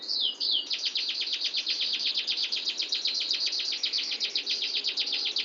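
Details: Rolling canary song, long and clear: a brief looping whistle, then a steady, dense trill of quick pulses, roughly four per second, continuing to the end.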